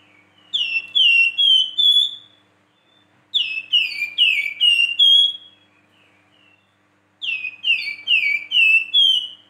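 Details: A Flamboyan gives its whistling 'siulan' song, a series of ringing downward-sliding notes, four or five per phrase, in three phrases spaced a few seconds apart.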